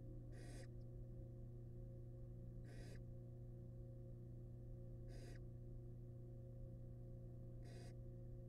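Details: Barn owls living wild in a research nest box as the male brings home a large rat. Four evenly spaced harsh hiss-screeches about two and a half seconds apart over a steady low hum.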